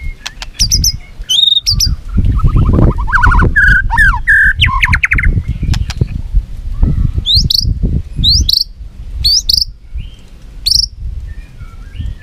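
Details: White-rumped shama duelling in song with tail flicks: a mix of buzzy, harsh notes, clear whistles and sharp upward-sweeping high notes, delivered in separate bursts with short pauses, over low rumbling background noise.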